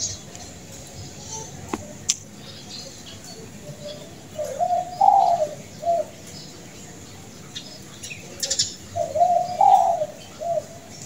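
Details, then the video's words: World-champion zebra dove, praised as extraordinarily melodious and long-voiced, singing soft mellow cooing phrases, one burst around five seconds in and another near ten, over quiet background hiss with faint distant chirps. "Perkutut Juara Dunia, Luar Biasa Merdu, Panjang Suaranya"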